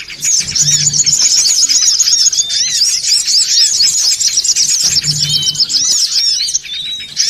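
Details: Noisy songon otong lure calls for attracting birds: a dense, continuous chorus of high, sharp chirps and short upward-curving twitters with no gaps, over a faint low hum that returns twice.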